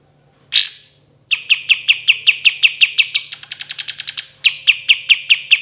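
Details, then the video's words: Kapas tembak, a kept songbird in a lively (gacor) training recording for other birds, with long rolling song and "tembakan" shots: one sharp rising note, then a rapid string of loud, clipped whistles about four per second, briefly higher and quicker mid-phrase. "KAPAS TEMBAK GACOR SUARA DAN TEMBAKAN MEWAH"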